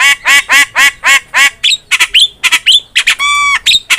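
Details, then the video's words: Javan myna singing actively in a tutor recording for songbird training: a run of six harsh, nasal squawks, then quick chattering whistles and a short buzzy, ringing note. "MASTERAN JALAK KEBO GACOR"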